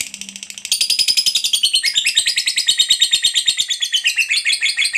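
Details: Lovebird fighter in a long ngekek used to get stuck lovebirds singing: a soft start swells into a loud, rapid, rasping chatter of pulses that wavers slightly in pitch.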